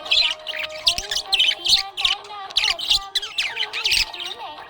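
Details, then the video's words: Happy budgerigar chirping: bursts of bright, scratchy warbled chirps and chatter, several a second, in an uneven stream, over steady sustained tones of background music. "Happy budgie chirping sound"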